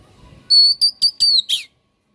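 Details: White-rumped shama singing a short phrase of high clear whistles, a held note and quick repeated strokes, closing with a harsh buzzy downslur; quiet background otherwise.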